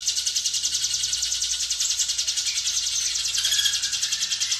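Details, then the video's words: Hill prinia in full song, used as a training recording for other birds, pouring out a fast, tightly packed, high buzzy trill of rapid notes, about three per second, steady throughout with no other sounds. "Ciblek Gunung Gacor Ngebren Speed Rapat"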